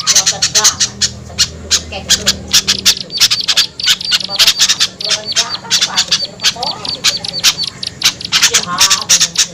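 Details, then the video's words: Lure sound used to attract small birds down from trees; rapid, sharp, high-pitched chirps and squeaks in dense bursts, repeated throughout with brief gaps. "SUARA PIKAT AMPUH UNTUK BURUNG KECIL SUSAH TURUN"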